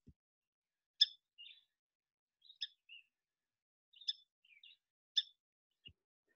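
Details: A Song Sparrow gives its call rather than its song: short, sharp "cheap" chip notes about every one and a half seconds, each followed by a softer, lower twitter; otherwise quiet.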